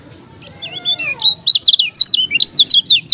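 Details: Lombok yellow-crowned bulbul in full, vigorous song. Faint sliding whistles lead into a fast, loud string of high, zigzagging chirped notes, about fifteen in under two seconds.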